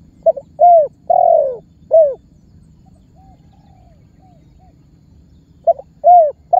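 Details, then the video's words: Spotted dove lure call that prompts other birds to call. One full low phrase, a double note, a short coo, a long coo and a falling coo, then after a long pause the next phrase begins. "SUARA BURUNG TEKUKUR MEMANGGIL DAN MENEKAN MEMBUAT BURUNG LAIN IKUTAN BUNYI"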